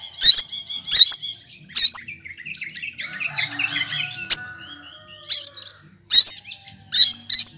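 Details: Mimicking cucak kinoy leafbird, green and sweet-voiced, used to teach other songbirds: quick bursts of rising whistles roughly once a second, broken by a buzzy, scratchy warbling passage midway.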